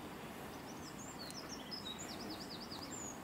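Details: A Eurasian wren in a UK tree sings, not at full volume, while holding food for its chick: a fast run of very high, thin notes and sweeps ending in a quick rattling trill, partly masked by steady background hiss.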